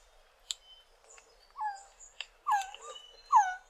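Resplendent quetzal giving three whining, slurred notes, each rising then falling, about a second apart, with thin high calls of other birds behind.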